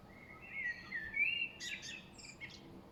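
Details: Spring birds singing in the late afternoon, recorded 5.3.2023, with a blackbird reported as the loudest singer: warbling, slurred phrases around the middle register, then a burst of bright, high chirps and a final thin whistle.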